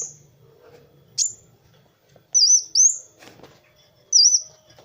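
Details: Kowul sunbird masteran song for training birds: scattered, very high, thin whistled notes, a quick pair near the middle and a single swooping note at the end, with quiet low hum behind.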